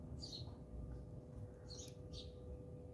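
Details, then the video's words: House sparrows fighting at a garden bird feeder in South Africa, alongside laughing doves: three short, high chirps, the first and last bright, under a steady low rumble of background noise. "House Sparrow Call & Fights"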